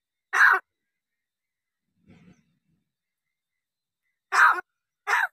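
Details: Talking crow limited to the Marathi words "ho" and "kay": a single coarse, breathy burst, a faint low rustle, then two more hoarse calls close together near the end.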